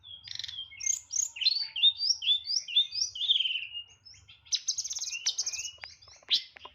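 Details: Tledekan (hill blue flycatcher) kept for song, delivering nyeklek fills: a rapid chain of high curling whistles, a pause, then buzzy rattling trills and sharp notes; a faint low hum in the background.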